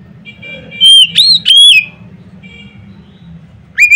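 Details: Oriental magpie-robin singing loudly to set off other magpie-robins: a quick run of three piercing whistles, sliding up and down, followed by quiet and a final rising whistle at the end.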